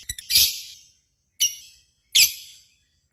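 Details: Lovebird sound from a contest simulation meant to provoke singing in kept birds. Three harsh, high, screechy calls, each under half a second, are spaced by pauses of about a second.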